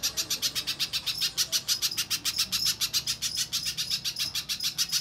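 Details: Little spiderhunter, as a lure for prompting other birds to sing. A rapid, even series of piercing high chips, roughly three or four each second, carries on without a pause.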